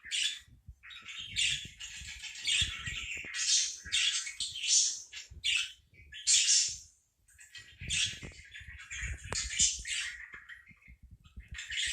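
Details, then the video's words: Continuous parakeet warbling: rapid, squeaky, scratchy phrases high in pitch, broken by brief gaps, with soft low knocks in the background. "4 minutes of parakeet sounds"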